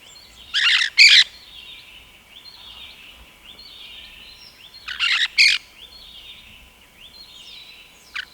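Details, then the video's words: Rose-headed parakeet repeating a doubled harsh shriek twice, about four seconds apart, between soft, thin whistled chirps and a brief sharp note at the close. "Rose headed Parakeet Bird Sounds"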